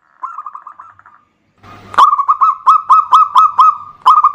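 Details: Local zebra dove used as a lure to prompt other birds to sing: a short soft trill, then loud repeated cooing notes in a steady rhythm, about two per second, with brief clicks.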